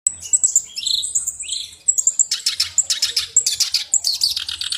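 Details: Black-browed reed warbler in full song, kept as a tutor bird: rapid, high chattering and scratchy notes mixed with thin whistles, delivered in dense, uneven bursts.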